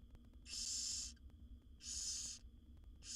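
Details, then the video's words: Begging barn owl owlet in a wild nest box while the mother feeds her seven babies: loud breathy hiss-snores lasting most of a second, spaced about a second apart, against quiet background hum. "Barn Owl Mother's Amazing Feeding Routine with Her 7 Babies"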